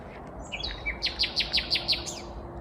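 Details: Morning song of a vagrant Common Nightingale at Kvarnbo, Uppsala, Sweden, 19 May 2021; a brief whistle, then six loud, evenly spaced, sharp descending notes in quick succession against low rumble.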